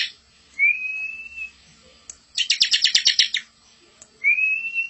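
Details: Bar-winged prinia (ciblek) master song for teaching young birds: a drawn-out rising whistle, then a one-second burst of rapid buzzy chattering notes, then another rising whistle, over a quiet background.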